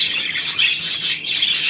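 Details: Budgerigar on 9 February 2024 producing a continuous, busy, high-pitched warbling chatter of twittering and rasping notes for nearly two seconds.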